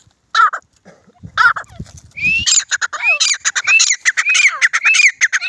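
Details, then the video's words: Grey francolin during a fight: harsh harmonic notes, then a run of rapid repeated upward-hooked calls over crackling, clicking noise, about a hundred notes per minute. "Desi Teetar Ki Awaz"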